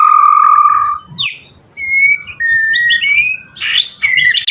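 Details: White-rumped shama singing loudly, played to get other shamas to sing back: long pure whistled notes at steady pitches, a sharp upslur, then higher whistles ending in a rising rasping flourish.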